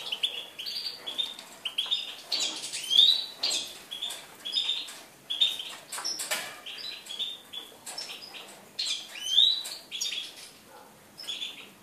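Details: European goldfinch recorded on 4 February 2018, singing a fast, continuous jingling twitter of high liquid notes and buzzy trills, with frequent clicking sounds throughout.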